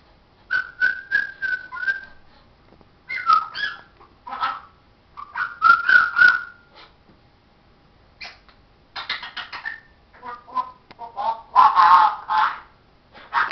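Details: A talking parrot gives bursts of speech-like chatter mixed with whistled notes, in several separate runs of syllables with short pauses between them. The sound is clear and fairly loud in a quiet setting.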